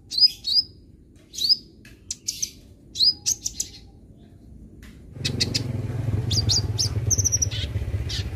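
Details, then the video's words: A captive untrained young sunbird gives sharp, high, thin chirps and short twittering bursts in irregular runs; a low rumble of traffic or wind comes in halfway. "Bikin Kolibri Bahan Cepat Gacor"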